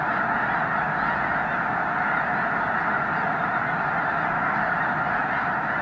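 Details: Huge flock of migrating snow geese at Loess Bluff National Wildlife Refuge in March 2021, more than 360,000 birds counted that day: a dense, unbroken roar of overlapping honking calls with no single voice standing out.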